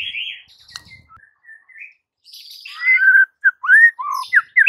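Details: White-rumped shama song played to attract a silent shama: soft, thin whistles at first, then a run of clear, rich, rising and falling whistled phrases with short gaps between them.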